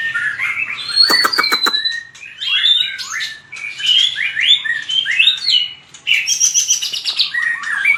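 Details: Voice-training fighting song of a white-rumped shama: short bursts of clear whistled and sliding notes separated by brief pauses, a sharp clicking rattle early on, and several upward swoops in quick sequence.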